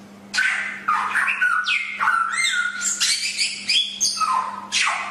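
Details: Chinese hwamei (Garrulax canorus), song.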